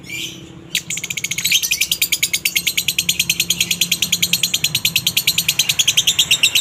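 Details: Lovebird in konslet minor style with a dry tone, meant to provoke other lovebirds to sing: after a short squeak, fast shrill chirps start and speed into a dense, even rattle of high notes.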